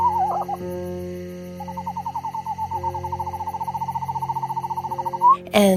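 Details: An eastern screech-owl from a red-morph family with six young, filmed in Quebec in summer, gives a brief descending whinny, then a long, even, quavering trill on one pitch that lifts at the end, over a steady background hum.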